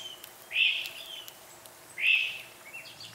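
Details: Northern Cardinal giving two loud, slurred whistled notes about one and a half seconds apart, each swelling and fading, with faint chirps from other birds in the background.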